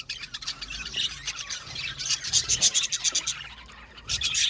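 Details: Aviary budgie colony calling: busy high-pitched chirps and scratchy squawks overlapping, building into a loud run of rapid, evenly pulsed tweets midway, then easing before another burst at the end.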